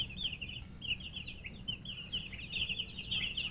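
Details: Chicks of the domestic chicken calling while eating; rapid high peeps come in bursts, briefly dipping and then building again, with occasional brighter squeaky notes near the end and a low hum beneath.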